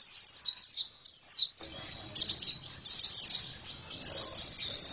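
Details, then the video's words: High-pitched, energetic twittering from an oriental white-eye in full gacor song, with rapid downslurred notes strung into busy phrases and a faint low rumble of background noise. "Pleci langsung gacor"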